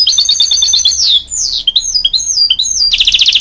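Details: A hybrid goldfinch sings to spur on young chicks: a fast buzzy trill, long descending whistled slides, scattered sharp chirps, and a closing rapid rattling trill.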